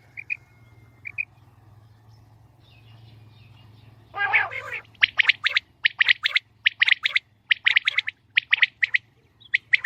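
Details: Female common quail sounds used for quail hunting: quick, harsh, high chirping notes in loose bursts after a couple of thin opening notes and a brief rustle, with a low hum beneath.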